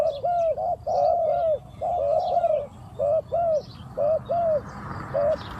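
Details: Captive decoy spotted dove cooing to lure wild doves: loud, mellow, arched coo notes in quick pairs and triplets, about one per second, with short gaps; faint high chirps from other birds and a steady background hiss.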